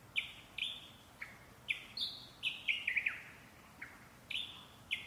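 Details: Parrots singing in sharp, high chirping notes, several dropping slightly in pitch, in loose bursts with brief pauses between them against a low background hiss.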